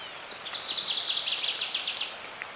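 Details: A northern waterthrush sings from dense shrubs in a rainy spring black cottonwood forest along the Clark Fork River near Missoula, Montana, giving a loud, ringing run of about a dozen sharp high notes that speed up and grow emphatic.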